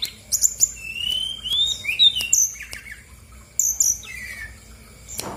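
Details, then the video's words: Brown-chested jungle flycatcher song used as a lure to make reluctant birds sing: thin, clear whistled notes sliding up and down at varied pitch, with brief sharp high ticks, in a quiet setting. "PANCINGAN SRDC GACOR BONGKAR ISIAN/BURUNG MALAS BUNYI AUTO EMOSI RESPON NYAUT!!!"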